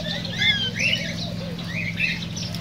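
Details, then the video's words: Cockatiels singing to encourage mating: quick rising and falling whistled chirps from a few birds, overlapping and clear, above a steady low hum. "تغريد كوكتيل"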